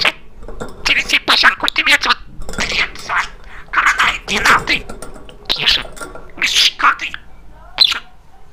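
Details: A talkative male pet budgerigar gives harsh, scratchy squawks and chatter in rapid bursts every second or so, which the owner calls scolding, while a woman's voice talks to it in between.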